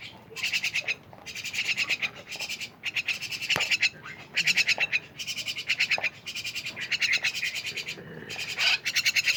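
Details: Myna chattering in long runs of grating, buzzy pulses broken by brief gaps, with a few softer squawks between bursts.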